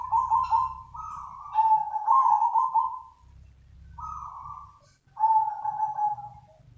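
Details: Zebra dove lure call, described as super nutut and used as bait for other doves: three bursts of rapid, rolling trilled cooing at a steady mid pitch, separated by short pauses, over a faint low rumble.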